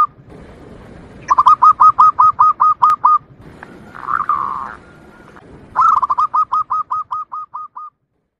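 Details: Local wild zebra dove song, used as a lure for wild doves and as a tutor for singing birds: two series of about ten clipped, evenly spaced cooing notes separated by a brief buzzy, warbling phrase.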